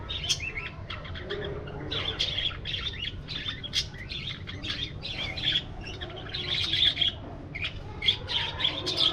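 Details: A flock of budgies in an aviary, flying and interacting, gives a busy stream of sharp high chirps, squeaks and warbles that swell louder toward the end, over a low rumbling hum.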